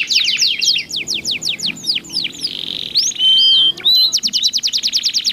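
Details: Two domestic canaries singing in alternation, each with a different voice, used to prompt other canaries into song: fast runs of steep descending notes, a long steady whistle, then a rapid rolling trill.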